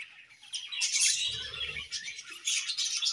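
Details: Morning song of a budgerigar pair kept in an aviary: a busy, high-pitched twittering warble of rapid chirps and scratchy notes. It rises in loudness midway and again near the end, with soft low rumbling in between.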